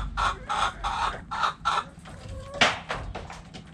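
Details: Backyard hen in the chicken coop clucking in five loud, harsh, evenly spaced bursts, followed by a sharp squawk and softer trailing clucks, with other chickens faintly behind.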